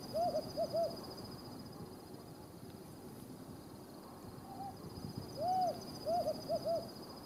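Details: A pair of Desert Tawny Owls (Strix hadorami) calling in a remote part of the Judean Desert, Israel: two phrases of soft, mid-pitched hoots, a longer hoot followed by quick shorter ones, over a faint steady high whine.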